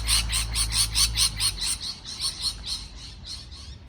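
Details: Rapid string of harsh parrot chirps, about four per second, strong at first then fading and blurring over a low hum.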